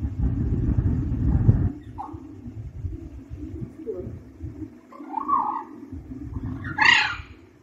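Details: Young pet parrot indoors, at the stage of first learning to speak, gives a few brief warbled notes and a louder rough chirp near the end, spaced between low thumping handling noise and a constant background hum.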